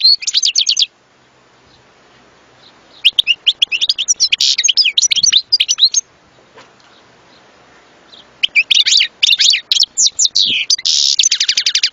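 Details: European goldfinch singing a long, rapid, tinkling twitter of high chirps and buzzy trills, delivered in three dense bursts broken by short silent gaps.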